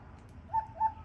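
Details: Australian king parrots visiting at a door in a power struggle between males and females; two short, clear whistled notes, each swelling and then fading, about a third of a second apart, over a low background hum.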